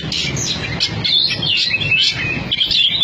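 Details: Competition-kept Oriental magpie-robin from Cianjur delivering a quick, dense run of sweet whistles and scratchy trills, notes sliding up and down without pause, over a faint low background rumble.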